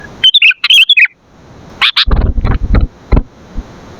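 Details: Sooty-headed bulbul singing vigorously, a recording meant for training and luring caged bulbuls: bubbly warbled phrases in the first second, then sharp separate chips with low thumping knocks underneath.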